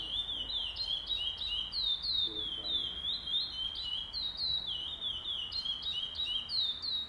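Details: At the opening stage of a curió pardo tournament on 8 November 2020, chestnut-bellied seed finches pour out rapid whistled phrases, notes stepping and sliding, with overlapping voices hinting at several singers, steady over faint background murmur.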